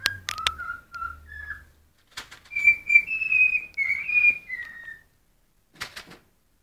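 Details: Hungry cockatiel whistling a song of sliding tonal notes, starting with short low whistles and then a longer held, wavering phrase, ending with brief noisy bursts.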